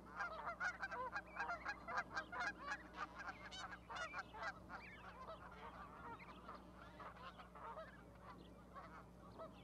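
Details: Goose with goslings on an osprey nest platform, Charlo, Montana, 12 May 2020. Rapid bursts of loud honking calls, about two a second, crowd the first half, then fade into quieter scattered notes.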